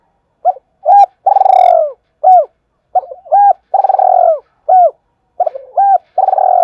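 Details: A spotted dove repeats its cooing phrase twice and begins a third, played to stimulate other doves to coo; each phrase has short rising-falling hoots around a long, vibrating, downward-sliding note, with no other sounds.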